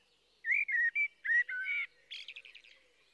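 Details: Blackbird singing: a run of low, mellow fluted notes that rise and fall, followed by a quick, thin, high twittering flourish at the end of the phrase, over a quiet background.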